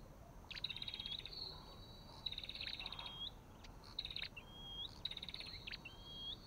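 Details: Olive-backed tailorbird, a white-eye also recorded: drawn-out trilled buzzy notes break into short rising whistles, phrases coming every second or so, with a single sharp click between.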